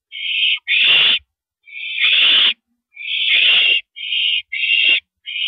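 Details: Owl at an evening mouse delivery, April 13 2012, 9:17 PM: raspy, hissing screeches of uneven length, some nearly a second, six in five seconds, with nothing else heard.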